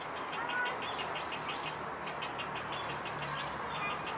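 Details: Many Grey Heron chicks begging at a nesting colony in Sendaibori River Park, Koto Ward, Tokyo, on 20 March 2022, alongside cormorants and night herons: rapid repeated short chattering notes over a steady background hum.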